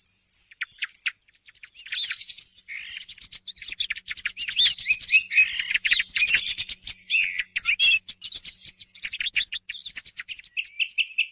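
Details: Song of a thrush played to lure thrushes for morning hunting, a long run of fast, scratchy, high-pitched twittering and chattering notes, busy and continuous, with brief whistled phrases near the end.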